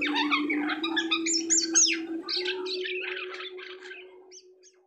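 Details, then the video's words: Asian pied starling after its moult, producing a jumble of chirps, squawky notes and whistles that fade away toward the end, with a constant low hum throughout. "SUARA UNIK JALAK SUTRA ATAU JALAK KAPAS"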